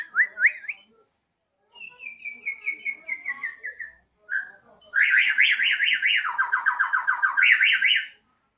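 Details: Caged Bornean white-rumped shama kept at home on a terrace, singing energetically in a siren-like 'odong-odong' style: short rising whistles, a long descending series of clear notes, then rapid wavering notes sweeping up and down like a siren.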